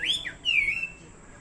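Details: Two quick whistled notes from a Chinese hwamei kept as a fighting bird: a short rising-falling slur, then a longer wavering whistle that fades into low hiss.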